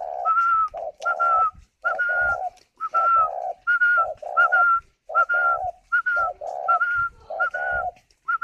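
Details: Incubating captive spotted dove in Ba Vì, Vietnam, cooing steadily: a phrase of two or three low burry coos followed by a higher drawn-out whistled note, repeated about twelve times with short pauses.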